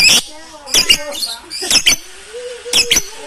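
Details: Many lovebirds calling very loudly together, recorded on a phone camera: harsh, explosive squawks in short clusters, with a faint tonal murmur between them.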